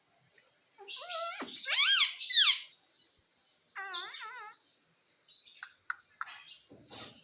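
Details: Talking pet parrot saying "mummy": a burst of strong wavy harmonic syllables, then a shorter rippling repeat, with scattered thin high chirps and clicks throughout.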